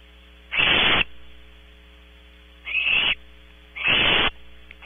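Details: Owlets of the Barn owl on a nest cam at Audubon Starr Ranch, California, calling in three harsh, hissing screeches spaced about 1.5 seconds apart, steady mains hum underneath.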